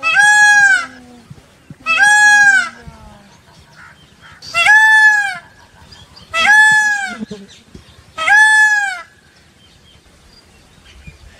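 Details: Peacock, an Indian peafowl shown with peahens and dancing: five loud, nasal, arched calls, each under a second and strongly harmonic, repeated about every two seconds with quiet gaps between them.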